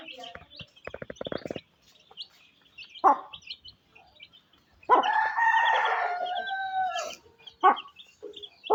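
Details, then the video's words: Village chickens in Pakistan on a rainy day, where a mother hen feeds her chicks; a long drawn-out rooster crow dominates mid-clip, with rapid tapping early on, scattered clucks, and high chick peeps. "Mother Hen Feeding Her Cute Chicks"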